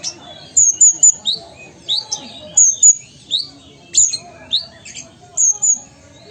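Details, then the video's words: Sumatran Ruby-cheeked sunbird singing persistently, alternating very high slurred whistles with upswept, slightly buzzy chips in an irregular, chattering pattern. "Konin Gacor Kolibri Ninja Asli Sumatera"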